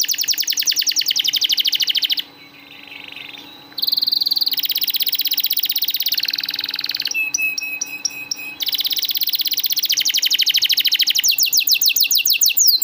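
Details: Canary master song meant to coax stalled canaries into singing: long fast high trills broken by a soft low warble, a brief pause and clipped pure notes, then renewed rapid rolling tours.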